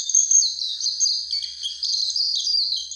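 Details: Warbling white-eye near Mount Fuji giving a brisk run of high, sweet chirps and short slurred whistles. The notes follow one another almost without pause in a lively, jumbled chatter.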